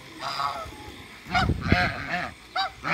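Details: African geese on a farm, meeting Muscovy ducks; a series of loud harmonic honks in short bursts, several overlapping, with low rumbling handling noise beneath and a brief quieter honk early on.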